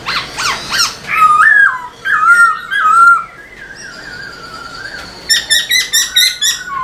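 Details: Black-throated laughingthrush in vigorous tail-dancing song used to stimulate caged birds: quick buzzy notes, then long wavering whistles, a thin high sustained tone, and a final series of rapid ringing chirps.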